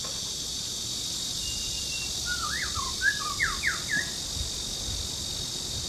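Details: White-rumped shama male in song, Louedishan Nature Park in Mituo, Kaohsiung, midday on 13 June 2018, Canon PowerShot camera: one quick phrase of about eight swooping, clear whistles lasting under two seconds, backed by continuous shrill insect hum.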